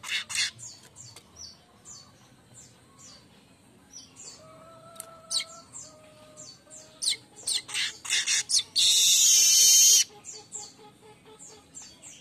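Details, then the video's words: Streaked weaver in full morning song: bouts of rapid chips and scratchy high notes, a dense rattling run, then a loud, long, grating buzz of over a second. Faint steady tonal whistles from another source play in between. "gacoran burung Manyar kembang pagi"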